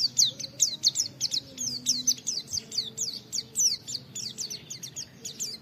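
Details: An Oriental white-eye delivers the 'wit wit' notes used to train and stir other white-eyes. Sharp, high, downslurred notes repeat steadily, about three per second, over a faint low hum in the background.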